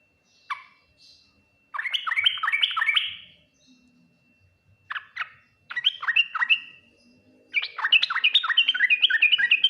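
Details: Yellow-vented bulbul singing full Ngriwik, Nguplik, Tuklik-Tuklik style, quickly answered by other bulbuls; one sharp note, then three lively phrases of rapid repeated liquid chirps, the last long and steady.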